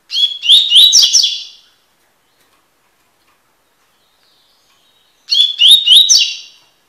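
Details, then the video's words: A double-collared seedeater (Sporophila caerulescens) sings two quick, high, buzzy phrases of sharp chipping notes, each about a second and a half long, separated by a few seconds of silence. "coleiro tui tui cantando"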